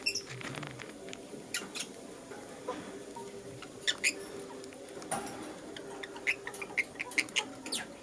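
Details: Lutino lovebird in the morning giving short, sharp, high chirps scattered through the recording, some in quick pairs, over a faint steady low hum.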